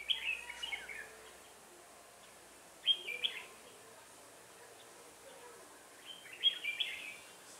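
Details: Red-whiskered bulbul decoy bird during trapping on 1 October 2018: three separate short whistled phrases, a few seconds apart, each a cluster of quick rising and falling notes over steady background hiss.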